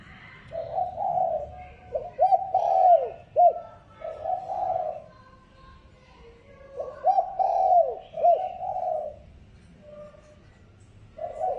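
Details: Repeated lure call of a spotted dove: groups of low coos with sharp slurred notes, each group lasting about two seconds and returning after pauses of roughly two seconds.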